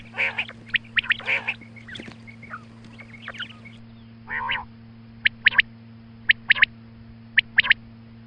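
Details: Morning calling of a female quail: a few raspy, harmonic bursts early on, then short sharp high clicks and whistles spaced out over several seconds, with a constant low hum.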